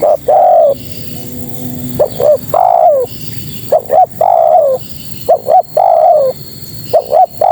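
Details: Female spotted dove calling for males, repeating a short-short-long coo phrase about every two seconds, the long note sliding down at the end, with faint background noise.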